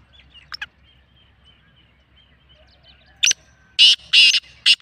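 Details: Black francolin (kala teetar) calling: faint thin chirps early on, then a loud, harsh, grating series of four or five rapid broadband bursts over the last second and a half, with a quiet background.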